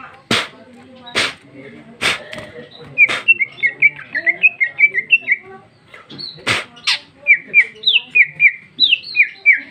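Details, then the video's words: Female cucak ijo (greater green leafbird) singing loudly in the open ngeplong style with a rich, varied fill, 2021; a few sharp clicks open, then rapid chains of short whistled notes that slur up and down. "Cucak ijo betina paling gacor ngeplong isian super mewah"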